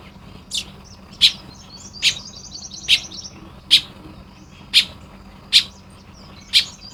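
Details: Nest-building baya weavers in Lopburi, Thailand, morning of 1 May 2026. Steady clicking chips come about every 0.8 seconds, accompanied by faint, fast chattering in the upper register.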